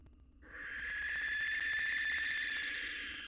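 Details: Male barn owl courting a new female perched outside his nest box, three days after his mate died, with a fledgling beside him: a long, harsh, hissing screech that holds steady for about three seconds after a quiet start.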